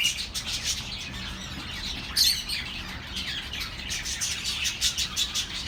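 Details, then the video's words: Relaxing chatter of pet birds meant for lonely birds: a steady flow of high warbling chirps, a sharper squawk just after two seconds, then more rapid twittering to the end. "The best relaxing birds sounds for your lonely birds"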